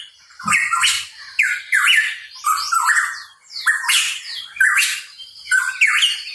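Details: Hooded pitohui (cucak rawa papua) calling busily: rasping, broadband notes, each with a swooping rising-falling shape, given roughly once a second after a short soft thump at the start.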